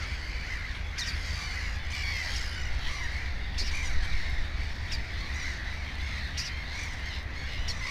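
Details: Harsh rasping cries from a black-headed gull at a nest holding two chicks, several loud bursts spread through the recording against a chorus of other gulls and low background hum.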